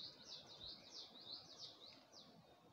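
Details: Early-morning bird song in Gulmit, Hunza, with a view of the Passu cones: a quick string of high, sharp chirps, roughly three each second, fading near the end against quiet rural background hiss.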